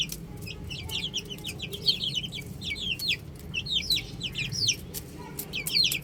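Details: A group of young chicks on a roof: sharp, high peeps that sweep downward, clustered in excited runs and overlapping constantly, with a low murmur underneath.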